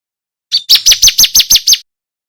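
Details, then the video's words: Bar-winged prinia, 'kristal' style master song for contest birds: a short introductory note, then seven quick, high, downward-slurred notes in a regular series. "Suara MASTERAN Ciblek kristal TERBAIK buat isian burung kicau lomba"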